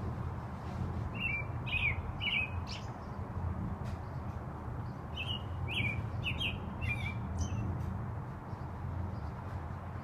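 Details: American robin singing at about 5pm, short clear whistled phrases in loose groups of two or three, pausing between bursts, over a steady low background rumble.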